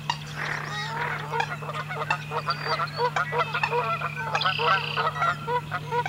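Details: American coots in a marsh wetland, a noisy, gregarious flock; a dense run of short nasal clucks and honking notes overlapping from several birds, with a steady low hum throughout.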